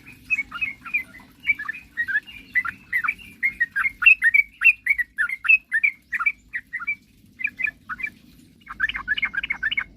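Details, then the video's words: Lively sooty-headed bulbul song, meant to lure rival birds into singing: dense, chattering phrases of quick liquid notes with brief gaps, ending in a fast cluster of bright chirps. "suara kicauan trucukan gacor..paling jago memancing lawan agar cepat bunyi"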